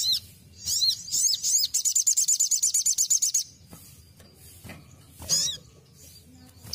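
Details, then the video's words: Ruby-cheeked sunbird basic song used for training: high, sharp notes at 4–8k, a rapid even trill of about a dozen buzzy notes lasting over a second, then a further sharp burst. "KICAUAN DASAR SOGON"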